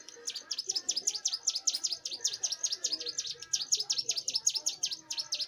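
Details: Young bar-winged prinia in lively song: a continuous series of strong, high, flicking chip notes at a brisk, slightly uneven pace, with soft low murmurs underneath.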